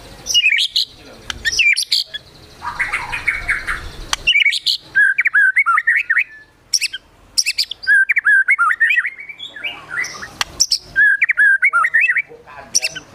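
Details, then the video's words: Agitated White-rumped shama singing a varied stream of warbled, slurred whistles broken by sharp clicks and brief harsh notes; the song includes mimicked calls such as sogon and kunti. "Murai Batu Gacor Emosi Isian Besetan Tembakan Sogon, Kunti Dll."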